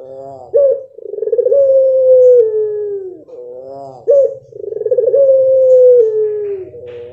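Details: Two extended coos from a blorok pelung dove, each starting with a quick stuttering burst before a long sustained tone that sinks in pitch, over a faint low buzz in the background.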